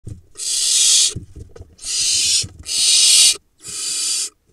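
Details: Barn owl nestlings, four surviving from a late-laying monitored pair, at a nest-box camera in the Hula Valley, Israel, in July, while pouncing on each other: four long, harsh, breathy hissing screeches of roughly a second each, with faint thumps between.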